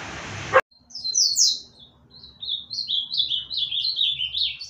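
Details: A click opens the recording, then a caged ultramarine grosbeak (azulão) from Olinda, Pernambuco, Brazil, sings a quick, high phrase of chirping notes and a second rising, slurred run of repeated notes.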